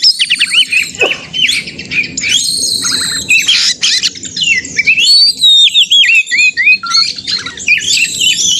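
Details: White-rumped shama, a bird kept to be provoked into singing in a contest simulation, giving a dense, varied song of high whistles, rapid trills and slurred notes that rise and fall, with brief harsh chatters and a low rumble beneath.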